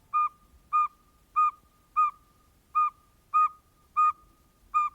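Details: A Northern Saw-whet Owl, likened to someone learning to play a recorder, gives a steady run of clear, mid-pitched whistled toots, about one every 0.6 seconds, evenly repeated with no other sounds.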